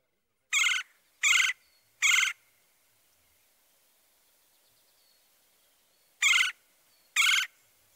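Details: Red-bellied Woodpecker giving its nasal trill, a low-pitched churr, as a played-back recording: five short rasping bursts, three in quick succession about 0.7 seconds apart, then a pause and two more near the end.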